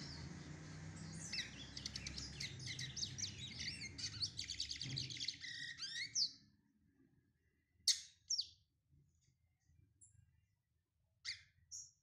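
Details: A brown-plumaged Lined Seedeater warms up with about six seconds of fast, packed high twitters and chirps, then falls quiet, giving only a few isolated sharp notes over the remaining seconds, with low hum early on.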